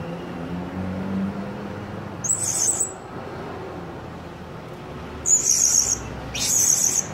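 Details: Blue-crowned hanging parrot lure call, used to draw other hanging parrots in rather than to challenge them: three bursts of very high, thin, shrill buzzy notes, each under a second, over a soft low rumble.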